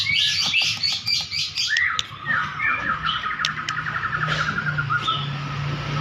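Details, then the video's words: White-rumped shama in energetic song during a bowing display: scratchy broadband notes open into a fast, even buzzy trill of repeated notes, then a few thin whistles, above a faint low hum and background noise. "pastol gacor satu nafas main sujud"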